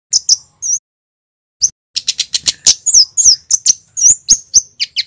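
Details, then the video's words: A few high chirps, a brief gap, then a dense run of sharp ticks and thin slurred notes, about four per second, from a male scarlet-headed flowerpecker of Java in cit keres style. "Suara burung KEMADE cit keres FULL GACOR"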